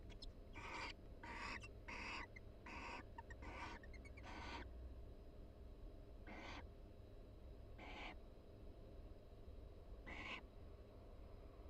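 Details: Barn owl mates in a nest box at the University of Florida, calling softly during mutual preening: a quick run of six raspy bursts, then three more spaced about two seconds apart.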